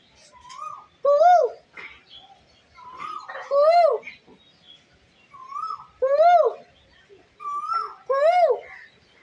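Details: Asian koel (koyal) attempting to communicate, giving four two-part calls: a short higher lead-in note, then a strong arched whistle that rises and falls. The calls come roughly every two to three seconds over soft background murmur.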